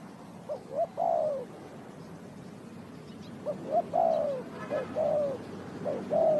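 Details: Spotted dove from Ninh Thuận calling during bird trapping: repeated three-part phrases of two brief soft notes and a longer falling coo, several in a row over a noticeable rustling, hissy background.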